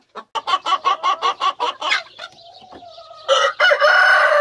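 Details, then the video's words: Domestic rooster giving a quick series of about ten sharp repeated clucks, a softer trailing note, then a loud drawn-out harmonic crow. "My rooster sings"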